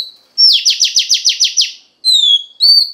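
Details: Stimulating voice of a female Oriental magpie-robin: one whistle, then a fast burst of about eight sharp, evenly spaced downward-sweeping strokes, followed by clear falling and level whistles.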